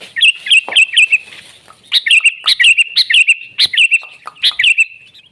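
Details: Sooty-headed bulbul, lively song used for tutoring and luring birds: sharp chirped notes around bright whistled phrases, given in quick bursts of three to five notes with short pauses between them.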